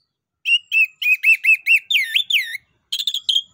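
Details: Orange-headed thrush in 'ngeplong nembak' song, used to stimulate other birds: a rapid run of repeated whistled notes with upward-curving and downward-curving slurs, then a short high trill after a brief pause.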